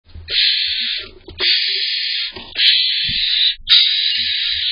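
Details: Barn owlets begging as their father delivers prey, July 19th, siblings competing and tussling over food; long harsh hissing screeches, four drawn-out rasping bursts each about a second long with brief gaps, some low knocks and scuffling between.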